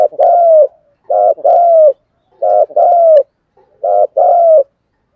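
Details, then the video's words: Spotted dove calling in the 'thúc gù' style with a 'giọng thổ' voice, used to stir decoy birds: four clean phrases, each a short stuttered note then a long, slightly falling mellow coo, about one per second, no background. "tiếng chim cu gáy THÚC GÙ giọng thổ"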